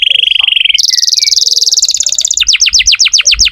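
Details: Canary in full song, used to prompt young or silent canaries to sing: a steady buzzy trill, then a higher, faster rolling trill, ending in a series of quick descending whistled notes about six per second.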